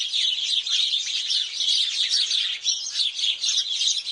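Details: House sparrows at Mettur Dam chirping while bathing together, a dense, continuous chatter of short, bright cheeps with no pauses, several birds calling over one another.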